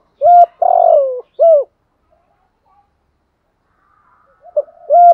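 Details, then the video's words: Spotted dove in the southern Vietnamese 'gù thúc' cooing style: a short hooked note, a long burry coo, another hooked note, then a pause before soft coos resume; clean recording without other sounds. "chim cu gáy gù thúc bai bản giọng hạp bổi nhất miền nam"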